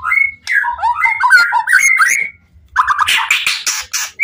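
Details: Caged white-rumped shama in full voice, singing to provoke other shamas; quick warbled and whistled notes sweeping up and down, a short pause, then harsh, noisy bursts and a final rising whistle.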